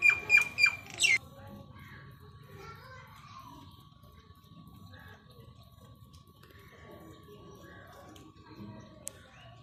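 Common myna gives a quick burst of four harsh, scratchy squawks mixed with a clear whistled note, then falls quiet over a faint steady electrical hum.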